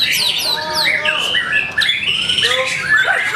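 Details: White-rumped shama singing at a bird singing contest in North Bekasi, placing on the podium: loud, continuous, varied song of whistled slurs, rising and falling sweeps, and rich melodic phrases, with crowd noise faintly beneath.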